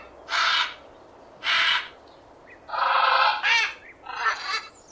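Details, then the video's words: Parrot calling: a run of harsh, raspy squawks, some short and some drawn out, about five in a few seconds, over a low background hiss. "SONIDO DE LORO"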